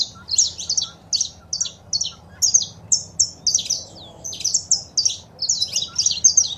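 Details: Saffron finch, male song and female calls for rousing a pet bird: steady sequence of sharp high chirped notes in quick groups, one thin rising whistle, low hum beneath.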